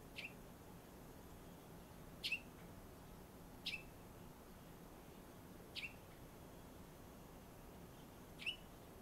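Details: A wild sparrow, the first to arrive on 5 February, gives short sharp chirps: five brief notes spaced irregularly about one to two seconds apart over nine seconds, over a steady quiet background hiss.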